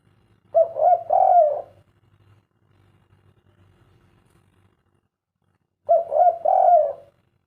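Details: Derkuku (spotted dove), kuk 3 type, cooing twice about five seconds apart: each phrase a couple of short hoots and a longer mellow note, with faint low rumbling between.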